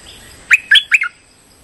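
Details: Streak-eared bulbul lure call used for trapping, a calling style: three sharp chirped notes in quick succession, each sweeping roughly between mid and high pitch, within about half a second against quiet background hiss.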